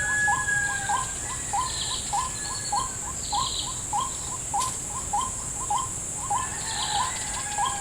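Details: White-breasted waterhen answering a trapper's lure in a salak garden: an even run of clipped, upturned notes roughly every 0.6 seconds, backed by a constant high-pitched insect hum and a few faint chirps.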